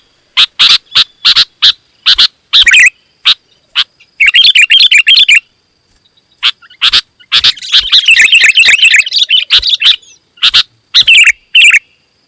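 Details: Vigorous loud song of a sooty-headed bulbul, said to make other bulbuls answer; quick harsh bursts open, then long stretches of busy bubbling whistled warbling, with a steady high tone present.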